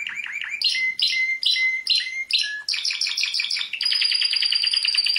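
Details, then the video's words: Song of a world champion canary: clear swooping notes and ringing whistles in quick succession, shifting into dense rattling tours and finally a fast, even, high-pitched trill held for over a second. "Canto de canario"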